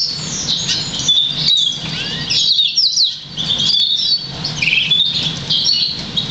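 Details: Caged crested Black Siskin x Russian Canary mule, 50% variegated, bred August 2009, trained on European Goldfinch notes; bursts of high chattering twitters and quick slurred whistles, a short pause near three seconds, soft low hum behind.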